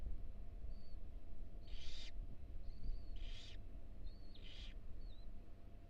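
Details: Inside a University of Florida nest box, a female barn owl tends four tiny nestlings. Three rasping, breathy hiss bursts come roughly every 1.3 seconds, mixed with short thin whistled notes and a constant low background hum.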